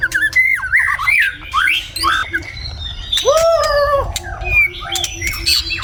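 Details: White-rumped shama singing in the morning in Vietnam, a rich, varied run of slurred whistles rising and falling, broken by a few harsher squawking notes.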